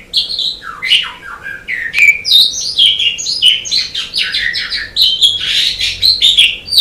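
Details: Continuous song of an Asian pied starling, kept as training audio for contest birds: a jumble of squeaky whistles, slurred up-and-down notes and harsh buzzy bursts, delivered without pause.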